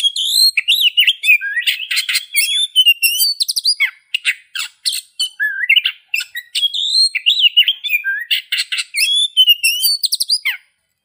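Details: Long varied song of an Oriental magpie-robin: looping whistled phrases alternating with rapid chattering and scratchy bursts, broken by a few brief pauses, loud and clean throughout.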